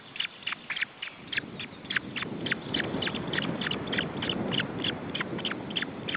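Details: At an Estonian osprey nest in June 2012, the young call while food is handed out. Sharp, descending high peeps come in quick irregular bursts over a broad murmur of low rustling and handling noise.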